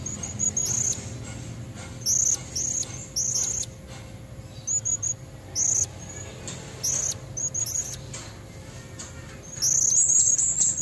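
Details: Female Blue-crowned hanging parrot calling from nature to entice red-necked males: repeated short pairs and triplets of thin, very high squeaky notes, ending in a sustained shrill chattering burst.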